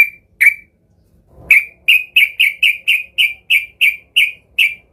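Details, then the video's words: Yellow-vented bulbul, agitated and seeking a rival, used as a lure to set other bulbuls singing. Two sharp chirps, a pause, then a run of about ten quick, even, bright chirps in steady succession. "Trucukan gacor EMOSI Mencari Lawan ini Paling pintar untuk pancingan trucukan agar bunyi gacor"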